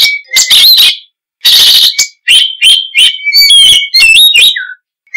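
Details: Oriental magpie-robin delivering loud, varied song with harsh grating bursts, high ringing whistles, rapid chattering notes and a low slurred note, in phrases with short gaps.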